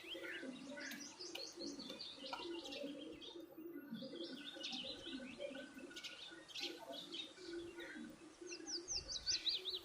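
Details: Several birds chirp busily as they eat, giving dense bursts of short high tweets with brief pauses and a quick rising-falling series near the end, over a low steady hum.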